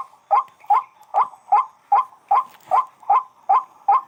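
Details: Evenly spaced, guttural croaks from a white-breasted waterhen, about ten notes in four seconds, clear against a quiet background.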